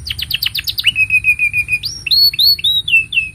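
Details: Canary singing a master song for young canaries: about seven quick falling notes, then a steady whistled trill, followed by several pure, sliding whistles rising and falling.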